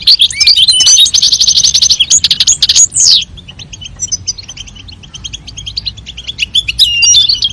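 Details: European goldfinch, female calling and male singing to stimulate mating: loud bursts of rapid twittering and buzzy trills in the first three seconds, then softer scattered chirps and a rising call near the end.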